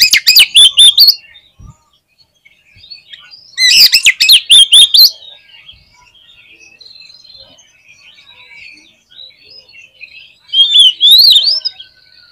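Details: Kacer, or Oriental magpie-robin, singing in 'gacor' style: three loud outbursts of rapid, sharp, buzzy notes separated by several seconds, with soft scattered twitters filling the gaps.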